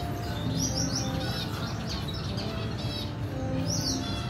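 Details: Red siskin mother feeding a chick, dated 14 April 2021; quick bright chirps in short clusters near the start and end, with a steady droning hum underneath.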